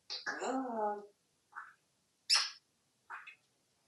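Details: Pet African grey parrot hatched in 1997, kept at home in Texas, producing a long wavering whistle followed by three short, separate chirpy vocal sounds in a quiet room.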